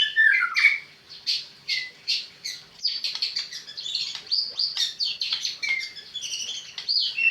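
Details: Murai batu, the white-rumped shama, delivering a fast, energetic song of sharp chips, bright whistles and buzzy trills, tumbling phrases repeated almost without pause.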